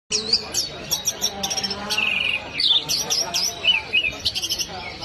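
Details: Orange-headed thrush singing a rapid, varied run of high whistles, sharp chirps and short warbled phrases, with brief pauses between bursts; faint low murmur underneath.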